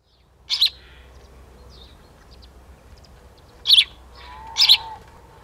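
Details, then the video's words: House sparrow females in conflict in the Limousin countryside at daybreak on 5 December 2016, autumn: three sharp, bright chirps, one single and then a close pair about three seconds later, over a quiet rural background. "MOINEAU Domestique/Femelles en Conflit/Automne !"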